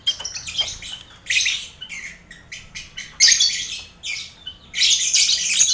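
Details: Captive lovebirds in a noisy colony pen with finches and quail, played for pre-contest mental training; irregular scratchy chatter building to longer shrill bursts near the end.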